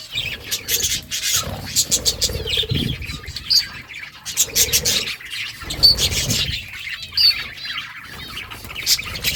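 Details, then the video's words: Budgies eating greens keep up a steady stream of bright chirps, rolling warbles and occasional clear whistled notes, over light clicking from their beaks as they feed. "Budgies eating green food budgies chirping sounds"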